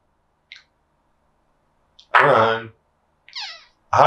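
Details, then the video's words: A female African grey (Congo) parrot talks in a humanlike voice, saying things like "crack, I love crack, haha, kiss kiss": soft clicks, a half-second spoken word, a high falling whistle, then another word. "Parrot Says - CRACK. I LOVE CRACK. HAHAHA KISS KISS"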